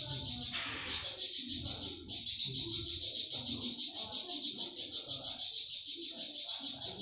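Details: Flamboyan bird giving a 'tembakan' burst, recorded as masteran for pet songbirds such as cucak ijo and murai batu: a shrill pulsing high trill that breaks off near two seconds, then resumes unbroken, over low background murmur.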